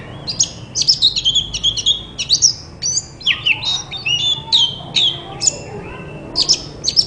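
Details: Song of a white-rumped shama played to coax quiet shamas into singing back; rapid run of clear whistles, slurred notes and high chips, almost continuous phrasing.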